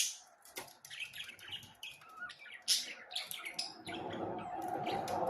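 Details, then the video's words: Budgerigars twittering in a fast, uneven stream of sharp chirps and squeaks, with a louder shrill note midway. A steady broadband rustling noise takes over the last second or so. "صوت تغريد طيور البادجي"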